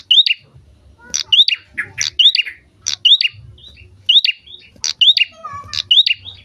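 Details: Lively prinia song meant to provoke other birds into singing: bright clipped chirps and upswept notes, repeated in quick clusters roughly every second, with a low background hum.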